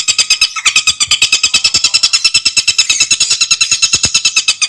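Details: Scarlet sunbird (tengkek buto, Aethopyga mystacalis), a loud, clear, fast song used for tutoring other songbirds: a rapid, steady train of high metallic ticking notes, about ten per second, with one brief pause near the start.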